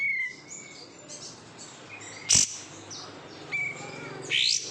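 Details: A kept kapas tembak, the oriental white-eye, raised from bulk-caught stock, gives thin high whistles with one sharp, loud chip in the middle and a rising squeaky phrase at the end. Quiet steady hum behind.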